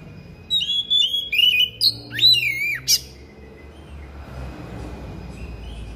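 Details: Thick-billed kacer (Oriental magpie-robin) singing a harsh, persistent song full of mimicked phrases: a quick run of loud whistled and slurred notes, some sweeping down sharply, about seven bursts in two and a half seconds, then a low hum.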